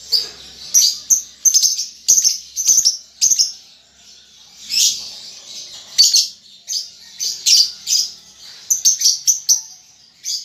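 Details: Juvenile lovebird, a baby under five months, learning ngetik and ngekek chatter: scattered sharp, high ticking chirps in short groups, with pauses between bursts and a denser run of notes toward the end.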